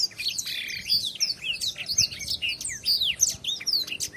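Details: A blackthroat pours out training song for masteran, a rapid string of high, thin down-slurred whistles and twitters mixed with buzzy chips, delivered in quick bursts with no real pauses.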